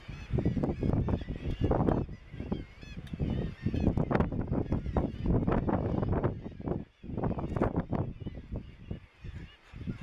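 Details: Deep rasping grunts of Razorbill, recorded in May 2017 at Bempton Cliffs RSPB in East Yorkshire, come in dense overlapping runs, almost continuous, while faint higher wavering seabird cries sit behind them.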